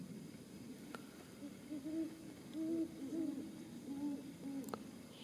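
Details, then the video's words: Great horned owl hooting at Caumsett State Park on 30 December 2018: a series of deep, soft hoots, several muffled notes in an uneven rhythm, with a couple of faint clicks in the background. "great horned owl--sound only"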